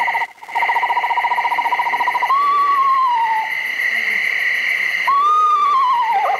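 Eastern Screech Owl: a steady, rapid low trill, then two mournful descending wails that quaver as they fall. A faint steady hum runs underneath.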